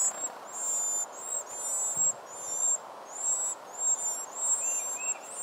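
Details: Four hungry wren nestlings being fed by both parents: very high, thin, wavering begging squeals in repeated bursts about every second, over a steady broad hiss of background noise.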